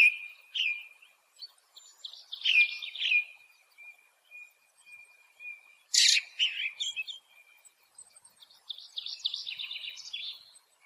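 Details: Ring ouzel (Turdus torquatus) song: short bursts of high, scratchy chattering and twittering phrases with pauses between, over a thin, steady high whistle running underneath.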